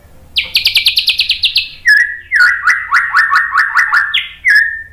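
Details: White-rumped shama singing to trigger song in other birds: a fast series of about ten high buzzy pulses, a level whistle, then a run of rising slurred notes and a closing higher whistle.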